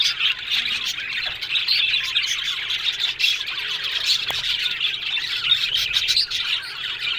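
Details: Aviary full of Australian budgerigars, a loud dense chorus of bright chirps, squeaks and raspy squawks overlapping continuously from many birds.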